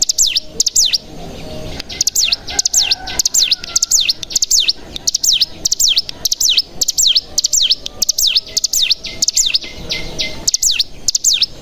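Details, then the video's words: Lure recording of a bar-winged prinia, the typical call mixed with 'bren' song to provoke other prinias into singing: long run of high downward-sliding chirps in quick pairs, with one short gap near the end. "Pancingan Cigun Bahan Agar Bunyi Langsung Ngebren"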